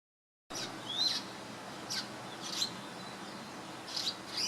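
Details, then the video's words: A swiftlet-like bird in Singapore, 2017, chirping while preening, gives brief, thin, high chirps about one every second or so over a steady hiss of background noise. "Swiftlet-like Bird Chirping"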